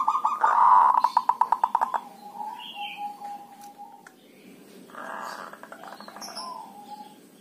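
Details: Local Javanese zebra dove, dhuduk and kerot calls used to lure other doves into calling: a loud rattling burst of rapid pulsed notes, then a softer, briefer pulsed phrase a few seconds later.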